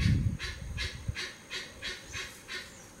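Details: Parakeets eating papayas give a run of seven loud, harsh, screechy notes spaced about a third of a second apart, with dull low thumps at the start and a steady hiss behind.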